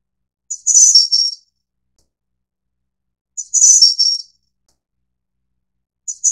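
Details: High, sibilant, tinkling phrases from a Snowy-browed Flycatcher (Ficedula hyperythra innexa, endemic to Taiwan), two complete about three seconds apart and the start of a third, with silence in between.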